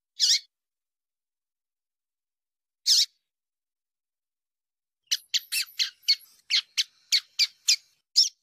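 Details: Female rusty-collared seedeater calls meant to excite males into singing for song contests: two isolated sharp descending chips spaced apart, then a quickening run of short high chips, no other sounds.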